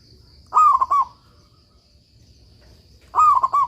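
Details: Local zebra dove in full voice, used as a training master for doves that will not sing: a pair of mellow phrases, a drawn-out coo then stuttering beats, separated by a pause of roughly two and a half seconds.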